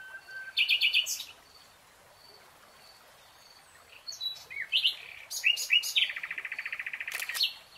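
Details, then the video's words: Singing nightingale in a lush green forest: a burst of loud repeated notes, a pause with soft distant whistles, then varied chirpy phrases ending in a rapid, steady trill of identical notes. "Relaxing NIGHTINGALE song"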